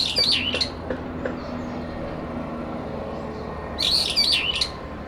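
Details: Brown-eared bulbuls in a late-September territory fight in a cherry tree: a shrill wavering phrase at the start and another after a pause, with a faint low tone and background rumble.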